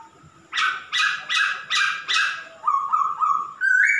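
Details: A male masked laughingthrush sings a string of five loud, harsh, rasping bursts, one every second or so. Three lower, even, whistled notes follow, then a rising clear note with overtones.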